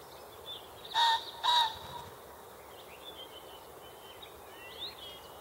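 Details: Common pheasant giving two loud, harsh, raspy notes about half a second apart, followed by faint high chirps of small birds against a hissy outdoor background.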